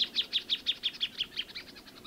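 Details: Plain thornbird giving a quick series of bright, sharp high notes, roughly six per second, strong at first and fading and slurring toward the end.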